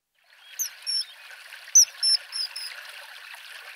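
Common Kingfisher giving shrill, thin, high-pitched whistles, short piercing notes in quick irregular bursts, over the steady rush of flowing water.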